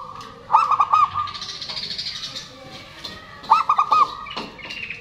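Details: Local zebra dove singing loudly as a lure for birds that stopped singing, males and females answering. Two phrases of fast, rolling coo notes, each fading into a soft hum, with faint higher chirps behind.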